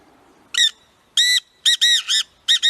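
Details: Black francolin giving loud, harsh, rasping notes rich in overtones: a short opening note, a longer one after a pause, then a quick cluster of three or four, and a closing pair, over a quiet background.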